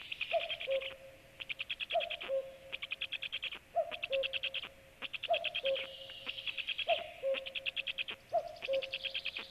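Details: A cuckoo calls nearby, giving six falling two-note cu-coo calls roughly every one and a half to two seconds, under a louder, high, rapid chattering trill from another bird.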